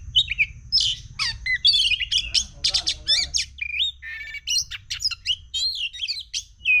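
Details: Agitated oriental magpie-robin pouring out a rapid, scratchy song of high chirps, trills and short whistles in quick succession, with a low background hum.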